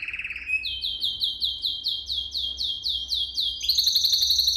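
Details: Canary song for teaching young canaries. A short low trill gives way to a long series of high, clipped, repeated notes, ending in a very fast bright rolling tour, over a soft low background hum.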